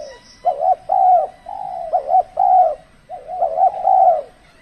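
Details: Spotted dove used in decoy trapping during the cold season, when birds are less aggressive; repeated soft cooing phrases of two or three rolling notes, each about half a second, in a steady series.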